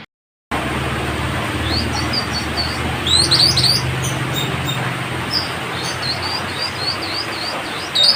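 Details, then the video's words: Citrine canary-flycatcher (Culicicapa helianthea) from West Sulawesi gives quick, high, thin chirps and short whistled notes in irregular bursts over a steady low traffic rumble; its song is valued as a tutor for contest birds. "sikatan matari_(culicicapa helianthea)_tembakan mantap"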